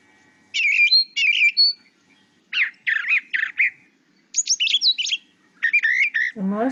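Brown Thrasher song: rich, varied, slurred phrases, each given twice in quick pairs. A human voice starts at the very end.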